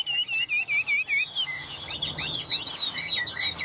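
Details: A very tame, hand-held hwamei, its cage shaken to show its tameness, sings loud, clear whistled phrases: quick repeated slurred notes, then rich, fluent, rising and falling varied whistles.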